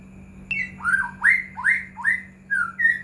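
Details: White-rumped shama (murai batu) song, used as a lure to make caged shamas sing: rich whistled notes that swoop up and down, about six phrases in three seconds, over a steady low electrical hum.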